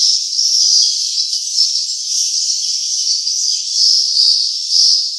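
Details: Swiftlets at their nesting site twitter in a dense, continuous, high-pitched chatter of overlapping chirps. Nothing else is heard.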